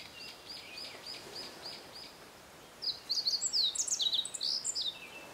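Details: Meadow bunting singing in mountain forest at Matsunoyama Onsen, Japan, where the species is common: a quick bright phrase of varied high chirps and twittering notes lasting about two seconds, preceded by fainter repeated thin notes from another bird.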